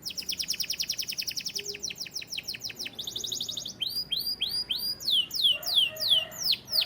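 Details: White canary singing: a fast run of bright descending whistled sweeps about seven per second, a brief buzzy high trill, then slower looping upslurred notes with a faint low hum beneath.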